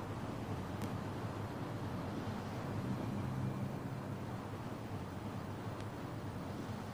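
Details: A steady low rumble like an engine or wind fills the recording. Two faint sharp clicks are heard, and no animal calls.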